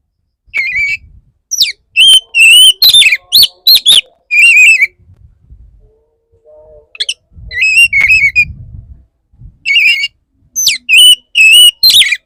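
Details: Male Oriental magpie-robin wooing a female, delivering loud, ringing whistled phrases in fast runs of short notes, some wavering, broken by brief quiet gaps with faint low background noise.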